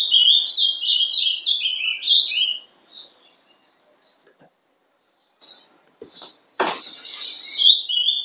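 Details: Young ringed captive ultramarine grosbeak (Passerina brissonii), hatched 11 December 2012, singing in Paraná style, 'sobe e desce': a fast warbled phrase of stepped, falling notes, then a quiet pause, a sharp knock and a second bright warble.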